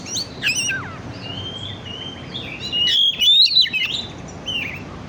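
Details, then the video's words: Oriental magpie-robin song as a lure to stimulate birds: slurred whistles, a long wavering whistle, then a loud tumbling run of chirps. "Pancingan burung kacer on"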